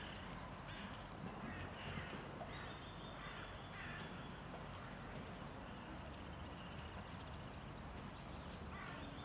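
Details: A common starling in Tivoli Landscape Park, Ljubljana, on 9 March 2023 gives a rambling medley of harsh, crow-like rasps, clicks and brief whistled notes over a steady low rumble of distant city noise.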